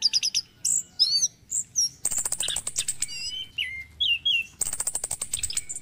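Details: Morning Orange-headed thrush song used to stimulate caged thrushes: short high stuttered notes, then two loud bursts of rapid buzzy ticking framing a run of slurred, falling whistles.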